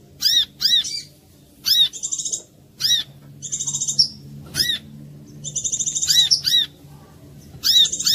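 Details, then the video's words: Lure recording of a brown-throated sunbird to make other korlap sing: sharp high whistled chirps, often in pairs, interleaved with rattling high trills, steady over a quiet low hum. "suara pancingan korlap jernih"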